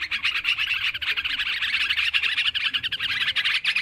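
Yellow-vented bulbuls chatter busily in a dense, continuous stream of bubbly, mid-pitched notes, with several birds calling over one another.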